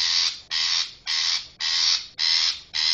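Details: Long-tailed shrike lure-call recording for trapping shrikes: harsh, grating rasps, each about half a second long, repeated steadily about twice a second with no other sounds.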